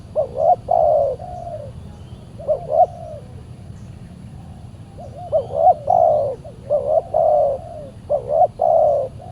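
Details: Aggressive spotted dove reacting to a decoy in a Saturday trapping outing; repeated low coo phrases of clipped rising notes running into drawn-out mellow coos, with a pause between bursts and faint distant chirps.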